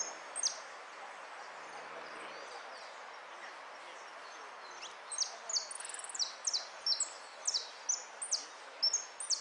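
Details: European goldfinch singing in a contest, a performance in the amarillo de repique style dated 03 02 13; after a quiet opening, high descending whistled notes and buzzy trills repeat roughly once a second over steady background noise.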